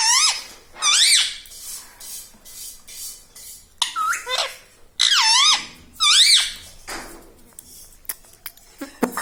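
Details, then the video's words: Talking pet parrot chattering words such as Mummy and Papa indoors: loud harmonic syllables with wavy, dipping pitch, given in pairs about every second, separated by quieter squeaky pauses. "Mittu Bolne Wala Tota || Talking Parrot || Mummy Mummy"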